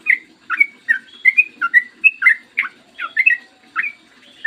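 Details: Yellow-vented bulbul in long 'ropel panjang' style, a clear morning song used as a lure to prompt other birds to sing: a brisk run of short bubbly whistled notes, rising and falling, about two per second, over a faint low hum.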